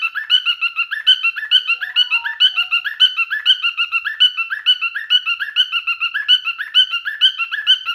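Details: Male cockatiel song in mating behaviour: uninterrupted series of clear, ringing chirps repeated about twice a second, with a few faint lower tones near the middle.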